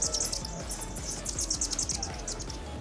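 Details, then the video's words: A male Anna's hummingbird calls in October near flowering Mexican bush sage: a rapid series of thin, scratchy, buzzy high notes over low background music. "you're hearing a male Anna's Hummingbird call"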